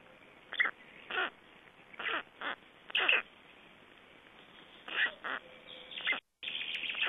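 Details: Black storks feeding at a nest in Estonia on 25 May 2012, with a change-over: harsh squawks of falling pitch, repeated about every second, then a noisy burst at the end.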